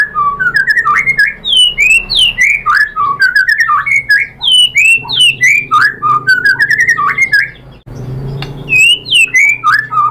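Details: White-rumped shama song used as a lure to provoke a bird into singing: a fast, rich stream of varied whistled notes sliding up and down, with sharp high clicks between phrases and a brief pause near the end.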